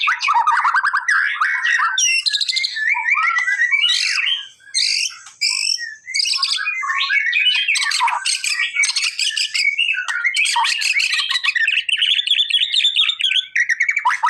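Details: White-rumped shama male in full energetic song meant to trigger a response: a dense, continuous stream of whistles, harsh chatters and rapid trills with barely a break over fourteen seconds.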